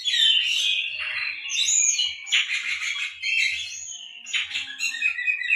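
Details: Oriental magpie-robin delivering canary-imitating song as a training lure: dense high warbling and scratchy trills, bursts of harsh chatter, continuous and energetic.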